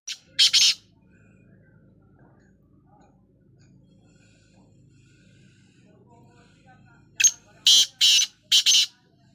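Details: Black francolin, heard while dust bathing in soil, gives a brief harsh phrase at the start, then silence, then a rasping phrase of one click and four grating bursts near the end.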